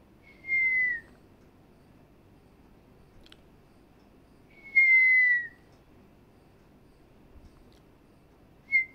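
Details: Pet African grey parrot indoors, prompted by its owner to talk but whistling instead: clear, slightly falling whistles of about half a second, heard three times with long pauses between, in a quiet room.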